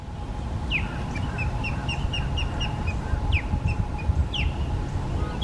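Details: Wild osprey calling in Florida, recorded on a Canon PowerShot SX70 HS: a series of short, high, evenly spaced whistled chirps, about nine in a row, plus a few sharper upslurred notes, over steady low rumbling background noise.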